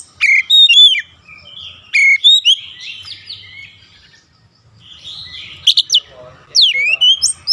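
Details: Kacer (oriental magpie-robin) on a daily therapy for long rolling song: two quick bursts of bright whistles, a quieter warbling middle, then steep rising and falling slurs at the end.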